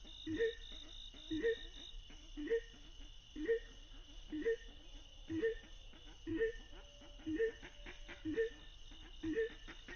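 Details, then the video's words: White-breasted waterhen during a snare-trapping session: low paired croaking notes, a lower note then a higher one, repeated roughly once a second in a steady rhythm, with faint buzzing in the background. "MIKAT BURUNG RUAK RUAK TERBARU"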